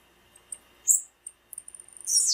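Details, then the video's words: High female tiziu calling meant to stir up males: a sharp burst, a few isolated chips, an accelerating patter of tiny ticks, and a final bright downward-sweeping whistle. "PIADO DE FÊMEA DE TIZIU FIT PARA ESQENTAR TIZIU NA HORA COM PIADO DE FÊMEA DE TIZIU"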